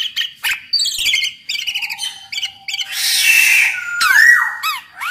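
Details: Black-naped oriole in lively song, played to lure other orioles into singing; clusters of stuttered nasal notes, a harsh hissing rasp, then curved whistled slurs and a clear sliding note.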